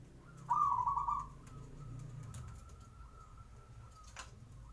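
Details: Zebra dove singing in the morning as a lure to make other birds answer: one loud, trilled cooing phrase near the start, followed by a faint steady tone and low background rumble.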